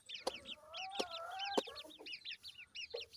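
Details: Grey francolin chicks giving many short, high arched peeps in quick irregular runs, with a few sharp clicks and a faint steady tone underneath.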